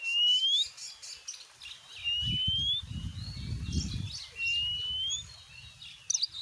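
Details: Oriental magpie-robin in gacor nembak singing, used as a lure for other magpie-robins: spaced, clean rising whistles with faint high twitters over steady low background rumble.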